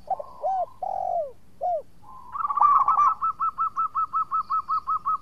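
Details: Local zebra dove in strong song, a lure meant to make rivals answer; a few drawn-out descending coos, then a fast, regular string of clear, evenly repeated rolling notes.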